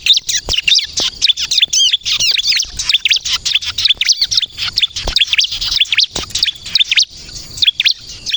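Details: Bar-winged prinia in full song meant to lure other birds and prompt replies, a fast unbroken stream of high thin chirps, quick downslurred whistles and squeaky trills, hardly pausing, occasional soft clicks.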